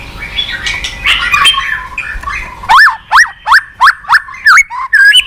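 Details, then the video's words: White-rumped shama lure song for a lazy-singing caged bird. A soft jumble of chirps gives way to loud, evenly spaced upswept whistled notes, about two per second. "Pancingan MURAI BATU MALAS BUNYI Sekali putar langsung NYAUT ,GACOR & BONGKAR ISIAN"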